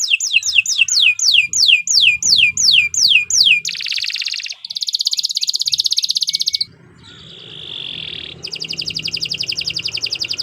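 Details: Canary song used as a training recording for other songbirds: long varied phrases opening with loud descending whistled sweeps, then rapid buzzy trills, a steady high tone and a fast rattling trill.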